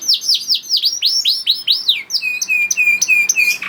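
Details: Canary, a young bird, singing to encourage other canaries to sing: a row of looping downslurred notes, followed by repeated short flat whistles at steady pace.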